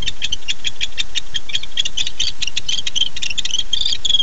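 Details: Barn owls at night, a female answering a returning male at 10:37 pm on 9-11-15: rapid, even ticking or clicking notes, about eight a second, carrying on steadily through the whole stretch.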